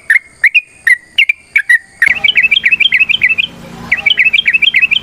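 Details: Yellow-vented bulbul fighting song used to prompt other bulbuls: spaced whistled notes, then a rapid, jumbled chatter of overlapping notes as a second bout begins, against rising background noise.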